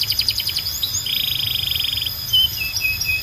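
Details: Belgian canary calling other canaries to sing: quick trilled notes, then a dense even rattle-like roll for about a second, followed by short clear whistles.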